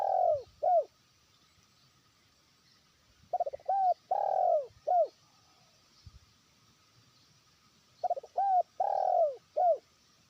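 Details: Trained decoy spotted dove calling a rival far away. Three cooing phrases come about four seconds apart, each made of stuttered notes, a short coo, a long arching coo and a brief closing coo. The surroundings are quiet.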